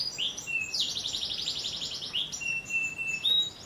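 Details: Canary singing in the glenderan cengkok style, offered as contest training material: a short high upslurred whistle, a long steady high note, then a rapid buzzy rolling trill sliding downward, followed by more sustained whistled tones on two pitches.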